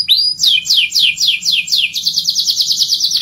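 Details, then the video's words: Short burst of canary song, used to prompt others to sing: a rising whistle, a row of descending sweeps, then a rapid rolling trill. "Kenari Gacor Ngerol panjang, untuk Pancingan Jenis Kenari apapun."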